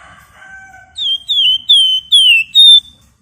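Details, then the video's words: Flamboyan singing hard in ngebren style: a few soft, lower drawn-out tones lead into five loud, piercing whistles that slide downward, evenly spaced about every half second. "Burung Flamboyan Gacor Ngebren Rapat Nyerecet"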